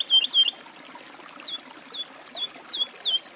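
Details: Woodlark producing scattered, fluty slurred notes, a pair of loud ones at the start followed by softer, irregular whistles and faint high chips.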